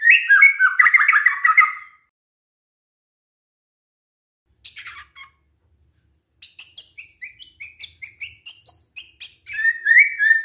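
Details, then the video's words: White-rumped shama song as a lure that provokes other shamas to answer. It opens with a rich fast warble, then falls silent. Scattered sharp notes follow, then a quick series of repeated high chips that ends in a whistled phrase. "pancingan murai batu GAK PAKE LAMA, murai langsung nyaut saat dengar ini"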